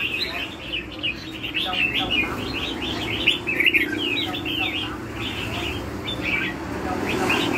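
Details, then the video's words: Red-whiskered bulbul singing a continuous stream of quick, warbled whistles in the lân hầu bò style, with lively rising and falling notes over a steady low hum. "CHÀO MÀO LÂN HẦU BÒ"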